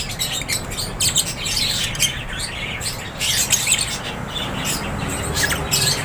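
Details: Many lovebirds in an aviary squawking and chirping together, shrill scratchy notes in rapid uneven bursts, low background noise throughout.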